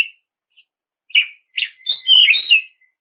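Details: Oriental magpie-robin in song aimed at provoking rivals to sing, with short buzzy chips building into a rich, jumbled burst of whistles and warbles near the end.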